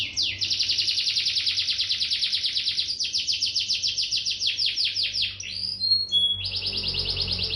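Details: Gacor canary from Bandung, Indonesia: a dense, very fast high trill for several seconds slowing into broader sweeps, then short whistled notes and a fresh rapid trill.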